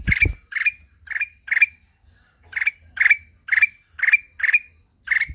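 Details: Black-headed bulbul calling in quick harsh notes with rising tails, two runs separated by a short pause, with low thumps at the start and a constant high whine.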